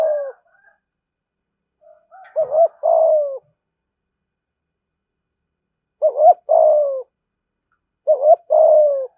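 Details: Caged spotted dove giving thúc gù coos: three clear two-part phrases, each a quick double note and then a sustained, slightly falling coo, separated by long quiet pauses.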